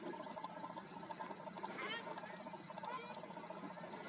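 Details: Northern lapwing at Maguri Beel wetland, Assam, India, in March 2021, giving one wheezy, slurred call that swoops sharply upward, then a fainter slurred note, over steady watery noise.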